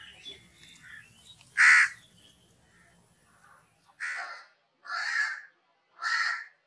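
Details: Crow cawing: one loud rasping caw, a pause, then three evenly spaced harsh caws about a second apart.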